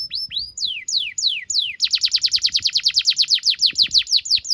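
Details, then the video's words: Canary singing as a training model for young birds: a few long sweeping whistles, then a fast even run of short falling chirps repeated about five per second. "PANCINGAN KENARI GACOR DURASI PANJANG UNTUK MASTERAN KENARI PAUD BELAJAR BUNYI DAN GACOR"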